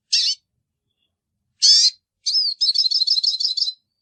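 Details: Hooded siskin (pintassilgo baianinho): two separate harsh, high call notes, then a quick rising whistle leading into a fast rattling twitter of high chirps lasting about a second.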